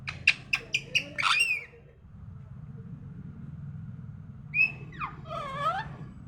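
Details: Morning sounds from a talking parrot: a run of sharp clicks and chirps leading into a harmonic warble, a quiet pause, then a rising and falling speech-like phrase, over a low background hum.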